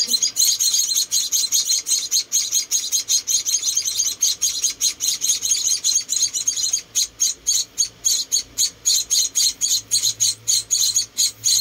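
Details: Four rescued munia chicks being hand-fed, giving dense high thin chirps, rapidly repeated in a near-continuous stream, later breaking into distinct pulses several per second.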